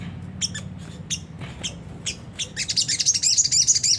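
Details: Harsh 'ngriwik kasar' twitter of a Sunda whistling thrush, played as a lure for caged birds: scattered high chips about every half second, building into a continuous scratchy chatter over a steady low hum.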